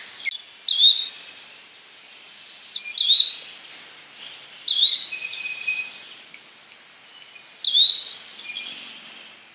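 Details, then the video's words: Yellow-bellied flycatcher calling: short, bright whistled notes that rise sharply, given four times about every two seconds, over a steady hiss of background noise with faint high chips. "Yellow bellied Flycatcher Bird Sound, Birds Call"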